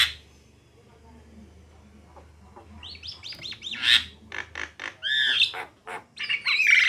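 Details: Javan myna, female and male, singing after a quiet start: a run of rising whistled notes, then sharp clicks and harsh buzzy squawks, with low background hum.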